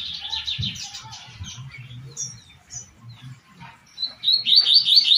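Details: Double-collared seedeater singing a tui-tui song, quick, high chirping phrases ending in a bright, repeated whistled burst, with a faint low murmur underneath.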